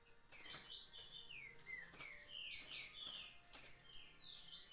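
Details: A Green-winged Saltator (trinca-ferro), recorded 26 July 2023, sings rich, clear whistled phrases that slide downward, with two sharp bright notes about two seconds apart.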